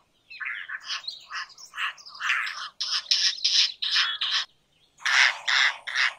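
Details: Indian roller giving a long burst of loud, grating, croaking notes in quick succession, about two or three a second, pausing briefly before a final harsh trio.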